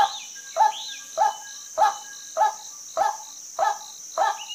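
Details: Hoarse, evenly spaced croaks from a female white-breasted waterhen, roughly one every 0.6 seconds, with a steady high insect whine and occasional thin whistled notes from another bird.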